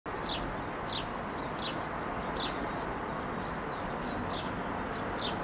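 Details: A male house sparrow on a roof calls to bring another male sparrow. The short, bright chirps come about every two-thirds of a second over a steady roar of traffic-like noise.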